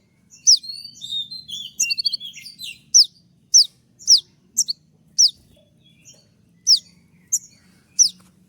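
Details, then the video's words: Konin singing its sharp 'tembakan' song, kept as a master recording for training birds: high, piercing down-slurred whistles repeated about every half second after an opening jumble of quick chirps, over a low steady hum. "dengan suara tembakan seperti ini pasti bikin kelas kicau koninmu melecit tinggi"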